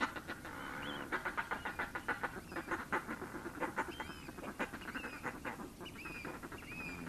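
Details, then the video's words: Fulmar: a steady run of rough, cackling pulses repeated rapidly, more than one per second, with a few short, thin whistled notes from other birds higher up and constant background noise. "Fulmar Birdf"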